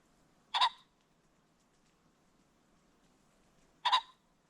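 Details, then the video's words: Ring-necked pheasant calling along a creek bottom at sunset: two short, harsh, raspy bursts about three seconds apart over quiet background hiss. "The Sounds of the Ring-necked Pheasant"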